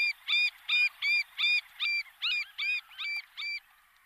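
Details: Little Grebe calling: a run of about ten short, high, ringing notes, evenly repeated roughly three times a second, each with a bright ringing overtone quality, over a quiet background.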